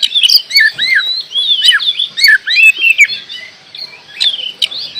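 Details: Oriental magpie-robin (kacer) singing actively: a run of curved, sweet whistled notes repeated in quick succession, then softer phrases and a final bright whistle.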